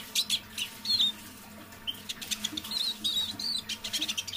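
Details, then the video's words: Caged decoy Eurasian siskin singing softly in half voice in the evening: short high twittering phrases and thin rising whistles separated by brief pauses, over a low steady background hum. "Песня моего манного чижа"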